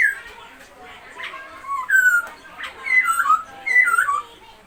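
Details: Masked laughingthrush, white-cheeked form kept as a song bird: loud clear whistled phrases sliding down and rising, in bursts about a second apart, with a few harsh squeaky notes.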